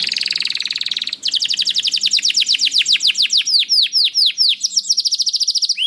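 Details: Canary song used as a lure to prompt other canaries to sing: a fast, even high trill, then a run of quick downward-swept whistled notes, ending in another rapid buzzy trill.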